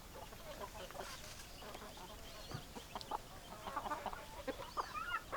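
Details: Chickens in a farmyard clucking busily. Short, clipped clucks and squawks overlap in a steady, dense chatter from several birds, with some louder bursts toward the end.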